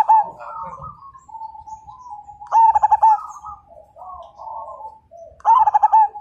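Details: Perkutut, a Majapahit-line zebra dove known as a fighter singer that makes other birds join in: two loud throbbing coo phrases three seconds apart after a partial one, with fainter doves cooing between them.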